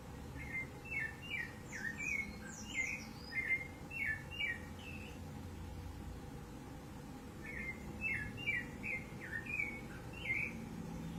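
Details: Rufous-bellied thrush singing free in the wild, recorded 15 November 2020: two bursts of quick, fluty whistled phrases with slurred notes rising and falling, separated by a pause of about four seconds, over a low steady background hum.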